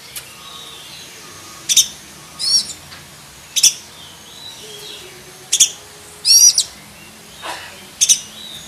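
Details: Black-breasted oriental magpie-robin with a full song repertoire for training other magpie-robins: a steady series of loud, shrill high notes and whistled twisting phrases roughly every second, plus a lower falling sweep near the end.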